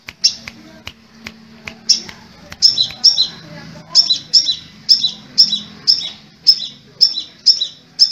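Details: Crimson sunbird, called kolibri merah or sepah raja, starting with scattered clicks, then a steady run of sharp, high, slightly buzzy notes repeated about twice a second.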